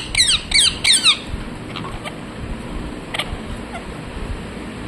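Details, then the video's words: Loud parrot chirping: three quick, shrill, squeaky calls in rapid succession, then a pause with a few fainter chirps against a hissing background. "Mithu Mithu Loudly Sound #Parrot chirping sounds"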